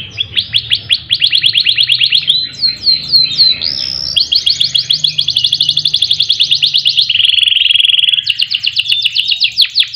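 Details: Canary lure song to coax kicau birds into singing: dense fast trills shift through several pitches, with a brief scratchy jumble, long rolling trills and a steady lower whistled run, over a soft low drone.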